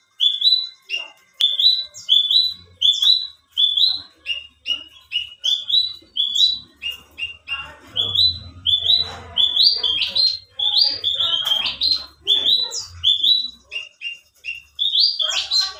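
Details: Alinea-type Australasian bushlark (branjangan), a competition bird singing actively, noted for song duration and varied material rather than volume: a steady run of short whistled notes around mid-high pitch, roughly 85 per minute, with faint low rumble beneath.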